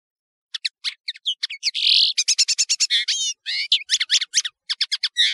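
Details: Continuous tinkling and buzzy European serin song, a hurried string of high, varied chirps and rasping notes running for nearly five seconds.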